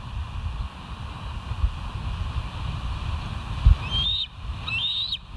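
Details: Bald eagle at the West End live cam on 29 September 2023 around 07:05; after steady low rumbling background, two thin, rising whistled calls come near the end, the second slightly longer.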